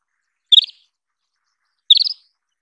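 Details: Isabelline wheatear calling twice, about 1.4 seconds apart. Each call is a brief, clipped cluster of four or five quick, slightly harsh notes, clean against silence.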